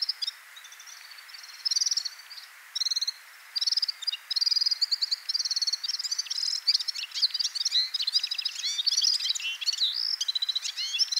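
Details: Red-fronted serin, a small high-mountain finch: bursts of rapid, high twittering and tinkling trills, short phrases at first and then a continuous jingling chatter.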